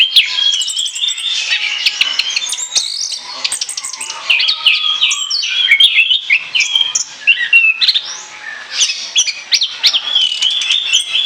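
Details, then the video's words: Energetic Orange-headed thrush song intended as a lure: long run of twittering whistles, sharp clicks, trilled passages and mimicked notes, continuous and fast throughout. "ANIS KEMBANG NGOCEH NGEPLOOONG, SIAP JADIKAN PIKATAN"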